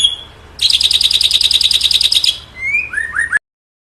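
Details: Long-tailed white-rumped shama singing vigorously; a fast, buzzy chattering trill for about two seconds, followed by rising whistled notes and quick upslurred chips before ending abruptly.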